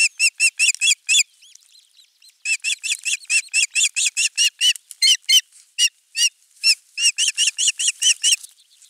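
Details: Nest-camera recording of an osprey at its nest, 23 June 2020, morning of a half-kilo crucian carp delivery; a long, slightly uneven stream of loud whistled chirps with one brief pause near the start.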